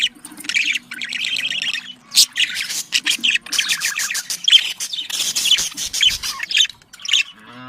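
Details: Budgerigar mating calls used to encourage breeding in pet birds: continuous rapid chattering warble of buzzy chirps and short squawks, dense and lively throughout, with a faint low hum.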